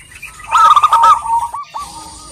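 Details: Female zebra dove, a local bird, calling to a male: a soft, rolling, trilled coo on one low pitch, followed by a brief gap and a fainter drawn-out coo, over a hissy background.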